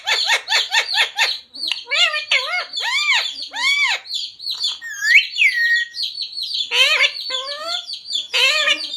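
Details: Parrot talking, its phrases including "radhe radhe" and "jai shree ram"; rapid clicks give way to arching, squawky word-like notes repeated in short series, over continuous high-pitched chirping from other small birds.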